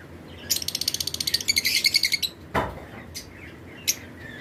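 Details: Lovebirds in a breeding flight colony give a rapid, ratchet-like train of about twenty shrill chirps, followed by one thump and a few isolated high chips.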